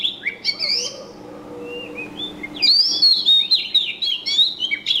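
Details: Lively bird chirping: a dense string of high, quick, slurred tweets and trills, pausing briefly and then turning into a louder, busier tangle of overlapping chirps through the second half.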